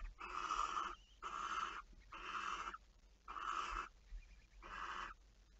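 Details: Barn owl late at night, 11 May 2019: five loud breathy, wheezing screeches, each about half a second long, repeated roughly once a second over quiet low hum.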